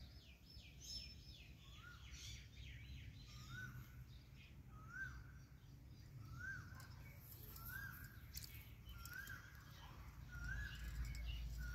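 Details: A pet Rose-ringed (Indian Ringneck) parakeet taking a bath gives short, rising chirped notes about once a second, mixed with a few higher squeaky calls, over a steady low rumble of background noise.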